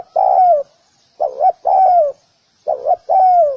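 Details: Spotted dove calling with paired phrases: a short double coo followed by a longer, smooth coo that slides downward at the end, repeated roughly every one and a half seconds against a quiet background.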